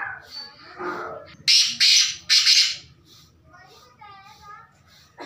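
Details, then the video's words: Black francolin giving three loud, rasping, grating notes in close series, preceded by faint human voices and followed by softer background sounds. "Black Francolin Voice | Kala Teetar Ki Awaz 2021 کالا تیتر کی آواز"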